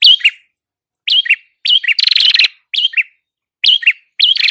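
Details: Red-headed prinia singing in full gacor style, a recording used to attract birds. Crisp two-part chirps, a sharp upslurred note and then a lower buzzy one, return roughly every second, with one longer buzzy trill.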